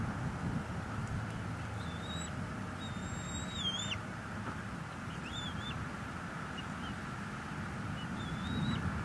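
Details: Two bald eaglets feeding at a wild nest in northeast Florida, March 2022, captured by live cam; a few scattered high whistles with sharp downward endings, separated by pauses, over continuous background noise.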